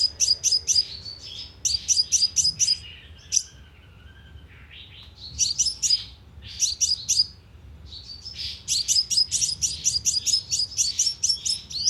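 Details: Sunbird calls used to lure birds into a speaker trap: clusters of rapid, shrill chips, a quieter lower slurred phrase midway, then long fast runs of high chipping.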